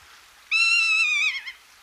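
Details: Rough-legged buzzard at Hortobágy, Hungary, on 19 March 2022, giving a single drawn-out, mewing whistle lasting about a second, held level with a slight waver before dropping and breaking into a short wobbling tail.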